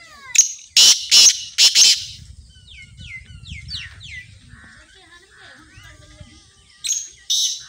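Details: Black francolin (kala teetar) calling: loud, harsh, grating bursts, three in quick succession, then a pair near the end. Softer descending chirps from small birds and a low rumble fill the gap between them.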